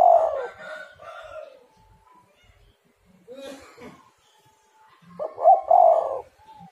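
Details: Spotted dove calling, played as a lure so other doves start to call: a mellow coo opens, quieter muffled sounds follow, then a second rough two-part coo phrase.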